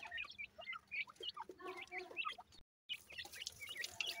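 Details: A group of grey francolin chicks gives a rapid, uneven patter of thin high cheeps and small chirps. There is a brief total gap partway through, then the peeping resumes.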